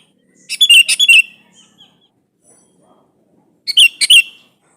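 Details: A sooty-headed bulbul calls a rival to draw out an answer, giving a longer, harsher phrase of tumbling scratchy whistles, a quiet pause with faint clicks, then a shorter bubbly burst.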